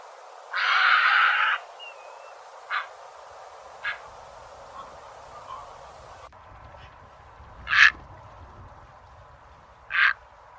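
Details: Egret, a white egret recording offered as a trapping lure: one broad harsh burst about a second long, then several short faint rasps, and two loud clipped croaks near the end over a steady low hiss.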